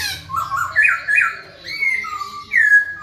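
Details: Lively masked laughingthrush song used to stir quiet birds into singing: a run of loud, rich whistled notes, some rising, some falling, in uneven bursts separated by short pauses, with a faint hum underneath.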